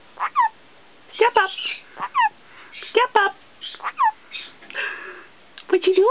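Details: Male black-capped caique kept as a pet, talking indoors and practising "step up" over and over: repeated short raspy two-part utterances with sharp chirpy notes, roughly every second.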